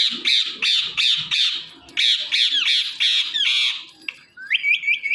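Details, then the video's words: Indian ringneck parakeets, a pet male and female pair, in morning calling indoors: a fast series of harsh, high, repeated screeching squawks, about three per second, ending in short rising whistled notes. "Ringneck Parrot Making Natural Sounds and Voices"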